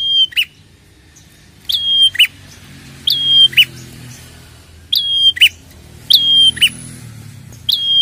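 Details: Prinia calls played as a lure to provoke prinias: six repeated phrases, each a clear level whistle followed by a quick buzzy note, spaced one to two seconds apart, with faint low rumble between.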